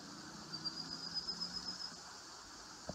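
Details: Marsh sandpiper (Tringa stagnatilis) calling in Vambåsa wetland on 18 June 2018, giving a quick series of thin, high piping notes for over a second, over a low engine-like hum.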